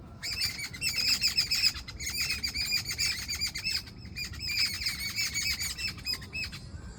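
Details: Morning birdsong: dense, continuous high-pitched chirping and twittering from birds, loud and busy throughout, with a short lull near the middle and a faint low hum underneath.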